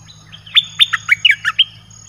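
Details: Red-whiskered bulbul, a caged Thai songbird whose 'dok taeng' song is used as a wild-bird lure, gives a bubbly phrase of about seven clear, falling whistles in about one second, with a soft low hum beneath.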